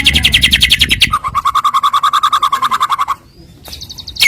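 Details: White-rumped shama song played as a lure to make rival birds sing: a fast rattling trill of rapid repeated notes, first high then dropping lower and steadier for two seconds, ending with a brief high buzzy phrase.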